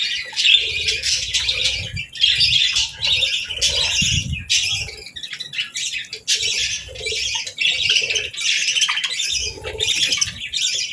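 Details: Real budgerigars chattering on a peaceful morning while eating and taking a bath; steady stream of scratchy chirps and warbled notes over eleven seconds, with faint fluttering and low thumps.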